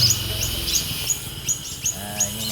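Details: Long-tailed shrike, a prize-winning competition bird, singing in a 'tengkek buto' volley style: short, very high chirps repeated about every 0.4 seconds, with men talking quietly in the background.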